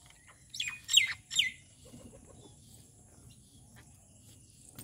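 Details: Rufous treepie, a wild bird visiting a home at morning feeding time, uttering three harsh, rasping notes close together, then quiet background murmur.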